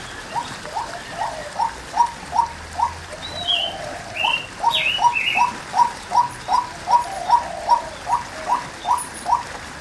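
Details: A female white-breasted waterhen repeats a short upslurred note at an even pace, roughly two and a half times per second, with a brief gap near the middle while other birds chirp higher and faster.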